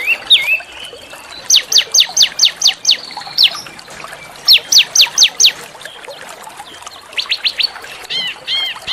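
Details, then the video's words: Masteran song of a small bird meant to train white-rumped shamas and magpie-robins: bursts of rapid, steep whistled strokes in runs of six and four, separated by pauses, ending in softer looping notes. "masteran burung kecil agar murai batu gacor"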